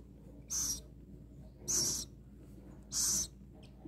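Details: Rescued little owl, to be released once able to feed itself, waiting for food: three clean, evenly spaced hissing bursts about a second and a quarter apart, each short and breathy, with quiet between.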